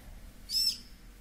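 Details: One of ten 3–4-week-old green-cheeked conure chicks, relaxed just after a feeding, gives one thin, high squeak lasting about a quarter second over a faint, low room hum.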